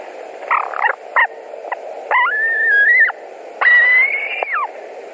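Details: White-tailed eagles at a nest in Latvia on 11 July 2020 at 21:09, one bird returning to the nest where its mate sits; loud harsh yelping and whistled notes, several held level tones near the middle and end, with short choppy calls at the start.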